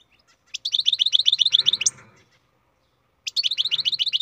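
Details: A captive-bred European goldfinch delivers fast, rhythmic twittering notes, roughly four per second, in a phrase with a rough buzzy patch near its end, then silence before another chattering burst begins.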